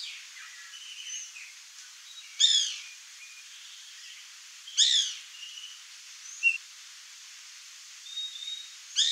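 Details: Melanerpes candidus, the white woodpecker or pica-pau-branco: loud raspy harmonic notes at irregular intervals, roughly every two to four seconds, over soft background whistles and chirps of other birds.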